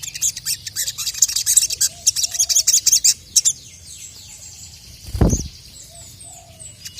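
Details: Crested jay, known locally as sogon, calling to challenge a rival: a long series of dry, high rattling pulses for about three seconds, then quiet with a single low thump.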